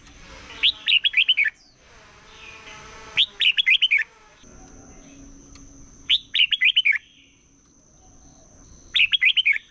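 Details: Morning competition song of a red-whiskered bulbul, used for voice training of wild-caught birds: four short rippling whistled phrases, each of five or six notes, repeated roughly every three seconds over a steady faint hum.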